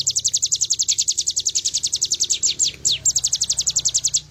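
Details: Bar-winged prinia delivering a long, even series of high downslurred notes at about four per second, with a couple of longer slurs midway, over faint low background noise.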